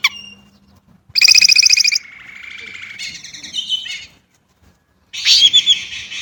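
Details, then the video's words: Chinese blackbird song made of a dry, rapid rattling burst, then a long thin buzzy note, and a final high scratchy chatter after a short pause. A faint low hum is audible. "烏鶇(黑鶇)的叫聲/Sound of Chinese Blackbird"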